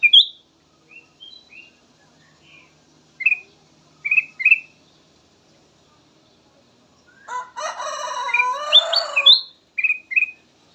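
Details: Bulbul known as kutilang emas, melodious song used as a lure: spaced pairs of short bright whistles, interrupted by a harsh noisy chattering burst, then two more whistled notes.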